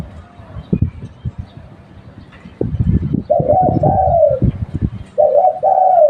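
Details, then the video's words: Spotted dove kept as a lure bird, cooing in mellow two-part phrases after a stretch of low thumping and rustling noise. "Tekukur lokal buat pancingan"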